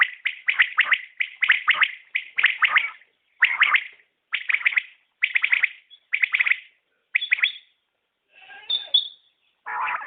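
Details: Common quail gives a steady run of rapid triple-note chirped calls about once a second, with a thin high whistle and a harsher burst near the end.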